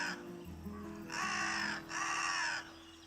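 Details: A carrion crow in Spain, a host species of the great spotted cuckoo, gives two harsh, hoarse caws in quick succession, each over half a second long, with soft background music underneath.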